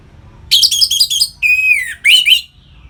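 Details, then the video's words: Orange-headed thrush, a song meant to rouse captive birds into breeding mood: a quick chattering run of rich notes followed by two long slurred whistles that fall, then rise and fall again. "Suara Ngeplong ANIS MERAH Gacor Memancing Burung Agar Birahi dan Lanjut ke Tahap Teler"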